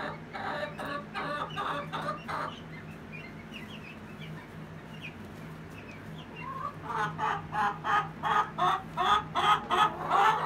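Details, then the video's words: Egg song of a Rhode Island Red and a Golden Comet hen: rapid harsh clucks, a quieter stretch of soft chirps from other birds, then the cackling returns louder in a steady, rhythmic series of strained calls. "The Egg Song"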